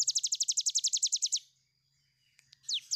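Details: Cigun (tiger shrike) in lively 'ngebren' song: a rapid even rattle of about fifteen high, down-slurred notes for one and a half seconds, a quiet pause, then two louder downward sweeps.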